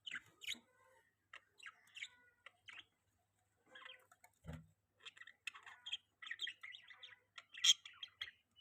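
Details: Quiet, distant-sounding budgerigar twitter: thin chirps and warbles, scattered at first, then a denser chattering run, with one low knock.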